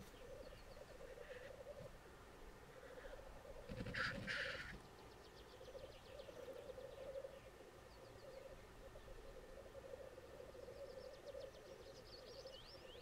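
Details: Lekking black grouse displaying on the Sallandse Heuvelrug heathland in the Netherlands, a population supplemented with birds from Sweden; a continuous bubbling, cooing chorus rolls on steadily, with a louder hissing burst near the middle and faint higher bird notes.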